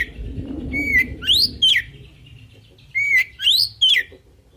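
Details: Oriental magpie-robin song in 'full isian' style, sung to prompt other birds to answer. A steady whistle, a rising sweep and a falling note form a phrase that is heard twice.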